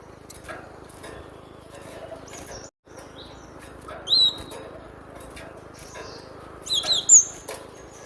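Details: Cinereous tit recorded as a training lure: after a long quiet stretch with a steady low hum, brief sharp high-pitched whistled notes arrive singly, then as a quick cluster of three near the end.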